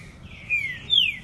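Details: Green-winged saltator on a short outing, giving loud clear whistled notes: a rising slur, then a higher long note gliding downward, over a quiet low background rumble.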